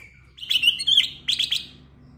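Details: Black-crested bulbul (kutilang emas) singing a clear, full, varied lure song. A thin whistle gives way to a loud warbled phrase of slurred notes, then three quick, bright chirps, over a faint low hum.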